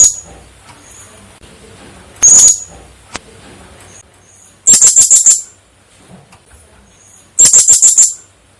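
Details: Female blue-crowned hanging parrot calling actively: a single shrill high note, then two bursts of five or six rapid, very high piercing pips, separated by quiet gaps of about two and a half seconds.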